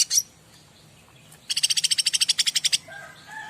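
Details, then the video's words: Bar-winged prinia master song for prompting other birds to reply: one high chirp, a pause, then a fast, even trill of about sixteen bright notes, followed by softer lower twittering. "Burung Apapun Pasti Nyaut Masteran Cica Ranting"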